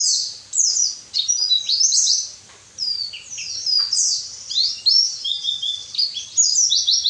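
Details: White-eye song played as a training recording to make lazy captive birds sing: a fast, continuous high warbling of sweeping, slurred notes in loud bursts with brief pauses, no other sounds clear.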